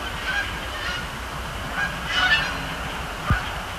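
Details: Canada geese honking at night over Sapsucker Woods Pond, Cornell Lab of Ornithology, during fly overs and landings; a few fairly soft honks cluster near the middle, with a droning low hum and a brief click near the end.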